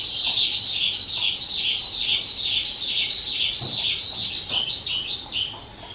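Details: A two-year-old captive skylark, recorded 18 April 2023, pours out a continuous, high, rapid warble of trilled and chirping notes, with phrases running on about twice a second without pause.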